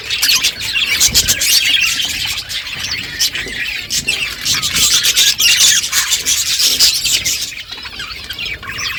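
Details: Budgerigars chattering as they eat, a steady stream of high, scratchy warbles and squawks mixed with rapid clicking sounds, fairly continuous and slightly quieter toward the end.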